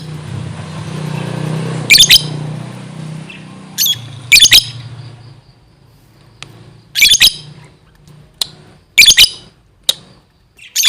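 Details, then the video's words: Lovebird calling busily, described as gacor: sharp, high squeaky chirps in short double and triple bursts, spaced irregularly over several seconds, with a low steady hum underneath. "suaranya gacor love bird"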